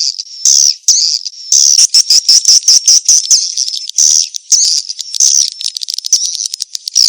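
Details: Swiftlet mating-chase lure call: high, buzzy twittering bursts that start and stop in quick choppy runs, with many overlapping birds chattering together.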